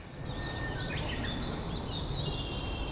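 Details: A migrating Japanese robin resting in a Saitama park in early morning, bound for mountain breeding grounds. It sings high, rapid trilled "hin-kara-kara" phrases over low rumble; footage slowed about 50%, with a separately recorded song added.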